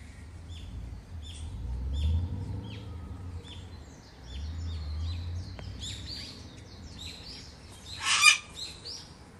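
Australian magpie gives short, sharp chirps repeated about twice a second, with a brief harsh burst near the end over low rumbling wind.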